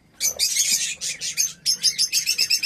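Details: Budgerigar chicks in a breeding setup making a noisy, continuous chorus of harsh, raspy high-pitched chirps in rapid overlapping bursts, with a brief pause midway.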